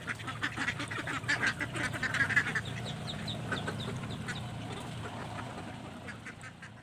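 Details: Ducks scrambling for feed, a flurry of raspy quacks in the first seconds fading into scattered calls over a steady low rumble.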